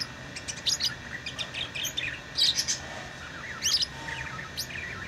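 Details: Lovebirds kept as tamed pets chirp in short groups: high, thin squeaks and wavering twitters spaced about a second apart, with a steady background drone.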